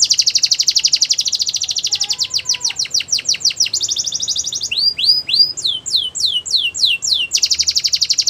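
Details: Belgian canary song meant for training young canaries: a fast high trill, descending sweeping notes, a buzzy roll, then looping rising whistles and a final rapid trill.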